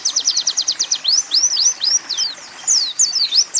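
A high, thin Oriental white-eye song: a fast run of stuttering trilled notes, then bright swooping whistles, with canary- and sunbird-like phrases mixed in.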